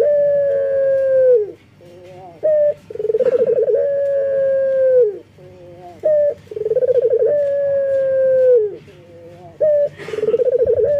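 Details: Local male collared dove in full breeding condition, calling to females. Three repeated coos, each opening with a brief clipped note, rolling into a pulsing trill and ending in a drawn-out, slightly falling tone.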